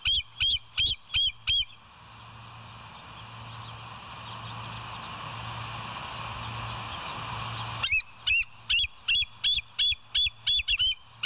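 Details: Bald eagle recorded by a West End nest cam on 28 August 2023 at 07:02: two bursts of high, piping, evenly spaced notes, several each second, separated by six seconds of background hum.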